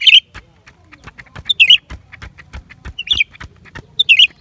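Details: Four crisp, high chirp bursts from a lesser green leafbird, roughly evenly spaced across the recording, each a fast rising-and-falling squeak, with steady faint clicks in the background.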